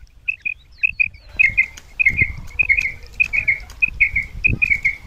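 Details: Female common quail (batair) call used in Punjab, Pakistan to lure males for hunting; high, clipped notes in quick pairs and triplets, repeated steadily for several seconds, with light rustling and a voice in the background.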